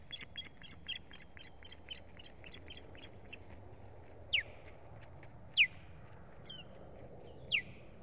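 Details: Strange ospreys attacking a nesting female, 1 May 2017: a fast series of short high chirps fades out, then three loud, sharply falling whistled calls ring out a second or more apart.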